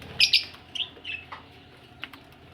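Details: Budgerigar ready for laying eggs gives a pair of loud, harsh chirps, then softer squeaky notes fading into a quiet pause.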